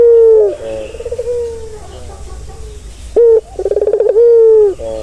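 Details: Barbary dove calling, meant to relax a stressed bird: a long falling coo, softer fading notes, then a sharp rise into a rapid rolling trill that ends in another drawn-out coo.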